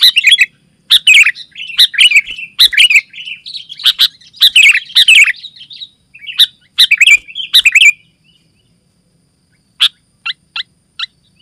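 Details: Sooty-headed bulbul in dense, excited song for calling other bulbuls and tutoring: fast chattering, warbled phrases for about eight seconds, then near silence broken by four short separate chips.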